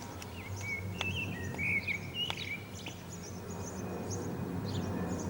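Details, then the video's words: Common blackbird singing on an antenna in Zamudio, Bizkaia, 18 April 2019, with a lilting whistled phrase during the first three seconds, accompanied by a steady low rumble and high distant twittering from other birds. "ZOZOA ANTENAN ABESTEN / Turdus merula _2019.04.18_ (Mirlo común cantando en la antena _)_"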